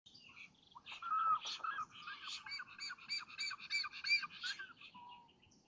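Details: Black stork at a nest in Lodz, Poland, early morning of 30 May 2017, as the male brings food for the chicks and female. A rhythmic run of hoarse, squawking notes with rising harmonics, pulsing several times a second.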